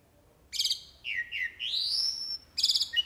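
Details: An actively singing jalak uret starling delivers fill-in song. A harsh rasping burst is followed by dipping slurred notes and a long rising whistle, then another buzzy rasp.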